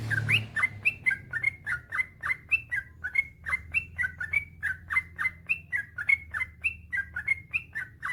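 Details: Yellow-vented bulbul in rapid continuous song, a training track to make other bulbuls sing: about three and a half slurred whistles per second, strung together evenly for eight seconds.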